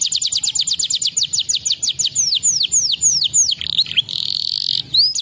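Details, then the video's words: Canary song used to stimulate other canaries. Rapid high repeated chirps fall in pitch, then slow into longer, down-slurred whistled notes. A brief buzzy rolled phrase follows, then more slurred notes. "At best, it stimulates the sound of a canary!"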